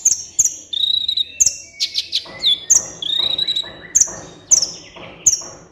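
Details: Kolibri ninja sunbird singing for a training and lure recording aimed at quiet captive birds. High, clipped whistles come in quick runs, with a long high trill near the middle. Fast rhythmic ticking follows underneath.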